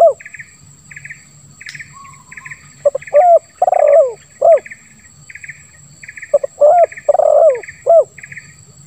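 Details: Two phrases of spotted dove cooing, 'lambung kuk 1 suara ngeruk' style. Short hollow notes surround a prolonged, gravelly, down-slurred coo, over a constant backdrop of rhythmic cricket-like chirping.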